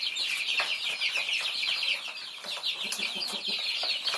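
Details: Thai baby chicks at feeding time, a dense chorus of thin, high peeps with quick downslurred notes, plus scattered taps from pecking.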